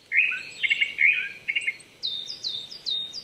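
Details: Japanese thrush in song on an April morning at 800 m in Chichibu, Saitama, Japan; a rich warbled phrase of varied notes, then a series of thin high downslurred whistles repeating quickly.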